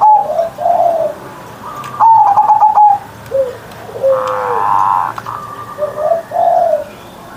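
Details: Pet zebra dove singing in the morning in the loud, big-voiced Ngerot style: short stuttered notes followed by mellow descending coos, phrases repeating with brief pauses, with a few clicking knocks in between.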